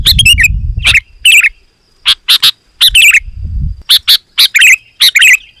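A sooty-headed bulbul sings short, bright, bubbly whistled phrases in quick clusters, about two a second. Low rumbling noise sounds briefly in the background.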